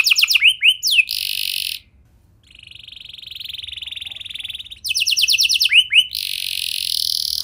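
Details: Canary song meant to get other canaries singing: rapid descending sweeps and a dense buzzy trill, a brief pause, a softer sustained rattling trill, then more quick sweeps and a buzzy roll.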